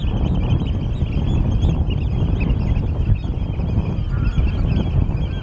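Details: European golden plovers at Norddorf, Amrum, 8 April 2022, 16:50, recorded with a Canon EOS R5 camera: several overlapping plaintive, bending whistled calls from multiple birds over a strong, steady rumble of wind.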